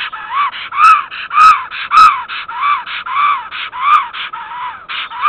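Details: Female black stork at her nest in Estonia, 8 April 2014 at 10:55, calling her mate who is late back from migration: loud, harsh, harmonic calls repeated rapidly, nearly two per second, with rising and falling tones.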